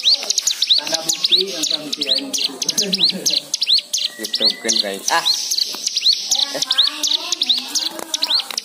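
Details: White-eye lure song to make other birds sing, richly varied: fast high chirps and upslurs over lower warbling and buzzy trills, with a short flat whistle in the middle.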